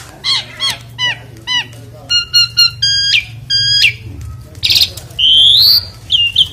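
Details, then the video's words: Asian pied starling singing loudly while being bathed: a lively run of harsh squawks, clipped harmonic notes and rich whistles, ending with a long rising whistle and buzzy flourishes. "KICAUANNYA KERAS SAMBIL MANDI || JALAK SUREN"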